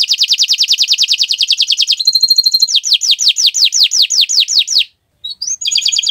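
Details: Canary singing on a Friday morning, a fast run of rapid repeated trills and downslurred notes, then a pure tonal whistle, a series of sweeping descending notes, a brief pause and rising whistles.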